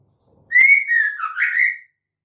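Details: Female white-rumped shama call, used to lure males into singing: a clear whistled phrase starting with a long rising note, then lower warbled notes, about one and a half seconds long.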